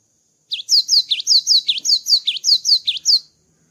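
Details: Cinereous tit, known locally as gelatik batu, in full song after the moult: a lively repeated two-part phrase of high downslurred whistles and sharp dipping notes, around a dozen notes in under three seconds.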